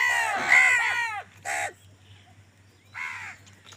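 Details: Crows quarrelling over food give a long, ragged caw followed by two shorter hoarse caws, spaced about a second and a half apart.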